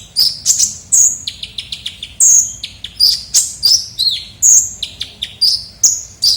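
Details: Busy, energetic kolibri ninja sunbird song recorded for luring. Rapid bright chirps and downslurred whistles repeat several times a second with hardly a pause.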